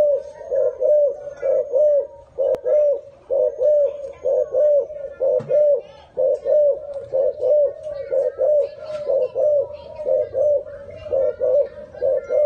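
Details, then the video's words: Dove indoors giving a long, regular series of low, soft coo notes, each rising and falling slightly, roughly one per second, with brief pauses between bouts and a faint tap. "Big Sound Dove"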